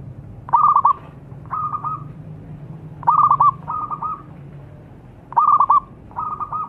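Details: Zebra dove singing, played as a lure to make birds sing. Phrases of rapid stuttered notes each run into a level purring coo, repeating about every two to three seconds. A faint low hum sits beneath.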